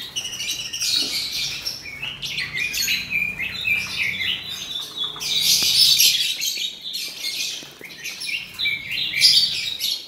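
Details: Caged male Oriental magpie-robin singing almost continuously, with rapid high chattering and warbled notes that swell into louder stretches.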